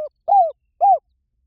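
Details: Two rounded, arching coos from a spotted dove about half a second apart, after the tail of an earlier note, over silence.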